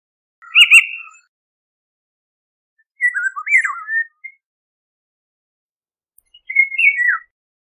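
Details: A harsh, buzzing, cat-like note from a Eurasian golden oriole is followed by two clear, gurgling whistled phrases, each set apart by a few seconds of silence.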